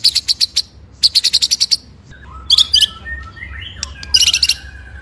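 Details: White-rumped shama singing a masteran tutor track, full 'ngerol' with 'nembak' shots: two quick high chattering trills, then varied looping whistles and a final burst of rapid notes.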